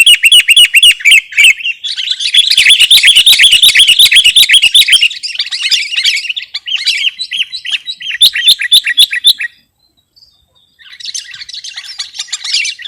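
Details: Sooty-headed bulbul singing on a lure and tutoring recording: a long, busy run of fast chattering, bubbling notes, about four per second, pausing briefly near the end before a final chattering burst.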